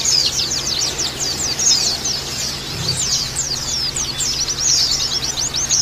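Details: Crowd of Oriental white-eyes twittering, a therapy track to encourage rough trills and beak-opening: bright, high, downslurred chirps pour out in quick succession, layered thickly, over a low steady hum.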